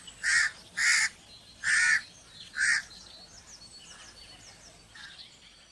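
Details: Four loud, coarse crow caws come in an uneven series, then quieter high chirps from small birds over soft background noise, with one faint distant caw.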